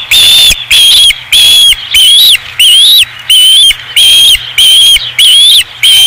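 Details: Osprey at the Dunrovin Ranch nest, 5 August 2016: loud, clear whistled notes with a slight rise and fall, repeated steadily about every two-thirds of a second, eleven notes in a row, with short silences between them.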